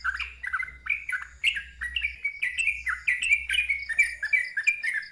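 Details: Sooty-headed bulbul delivering a loud ngeropel song, fast and continuous with a wild tone: clustered bright chirps, each dropping in pitch, pouring out in a dense stream, with a low background hum during the first half.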